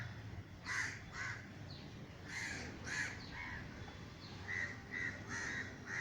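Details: A flock of crows, frightened by a crow-scaring gunshot, flies cawing over a garden in Sri Lanka: rough, nasal caws come in loose clusters with short pauses between them, over faint low background hum.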